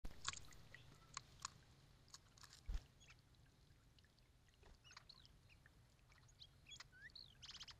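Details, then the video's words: Three male hooded orioles bathing at a birdbath give scattered, quick whistled slurs and chattery notes while singing, over soft splashing water, clicks and a low background hum. "Hooded Orioles Singing"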